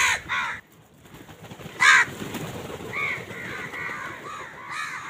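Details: A winter-morning flock of crows fighting for food: two quick harsh caws, a single loud grating caw, then a run of softer, evenly spaced nasal caws from further off.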